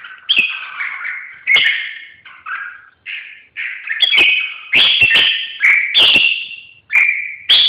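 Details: Red-whiskered bulbul singing: short, bright, warbled whistled phrases in quick bursts with brief gaps between them, some notes sliding up and down, punctuated by sharp clicks or taps.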